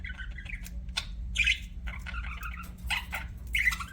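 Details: Pet budgerigars chirping: short chattering squawks and tweets in uneven bursts, with a steady low hum underneath.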